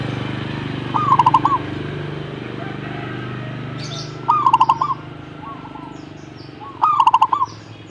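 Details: Zebra dove singing three rolling cooing phrases spaced about three seconds apart, each a short lead note followed by a quick run of pulsed, bubbling coos, over a steady low background hum.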